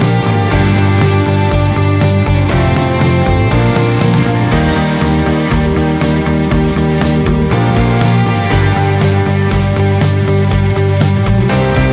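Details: Loud rock music with guitar and steady drums fills the whole recording, with no animal voice audible.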